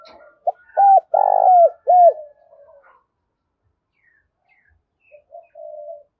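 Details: Spotted dove with a pure native-style voice, clear and harsh, used to provoke wild birds into fighting: a short note, then three loud cooing phrases, the middle one long and buzzy, followed by soft trailing coos.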